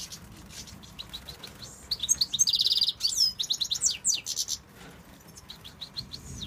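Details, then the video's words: Tunisian European goldfinch, addressed as a male, singing: quick high twittering notes, then a dense buzzy trill near the middle, followed by liquid chirps and sweeping notes that trail off at the end; low steady background hum. "Chardonneret de la tunisie"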